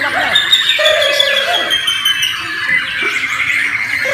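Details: White-rumped shama of the Borneo form, a caged bird at a singing competition: loud whistled phrases with quick slurred notes and sliding notes, over a steady high ringing layer of other birds singing at once.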